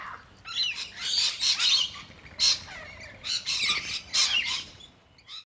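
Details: Rainbow lorikeets fleeing their ground feeding spot in response to a distress signal, giving loud grating screeches in clustered bursts about every second, several birds calling over one another outdoors.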